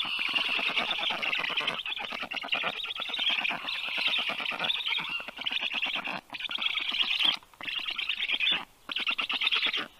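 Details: Thirty-day-old black stork chicks, rescued and kept at an Estonian university vet clinic in Tartu, begging while fed; loud scratchy pulsed calls, continuous at first, then in bursts separated by short silences.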